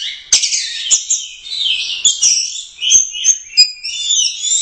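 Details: Competition orange-headed thrush, Royal Cup champion, in gacor teler doyong style, pours out a dense, continuous medley of high warbled and whistled phrases broken by sharp ticks.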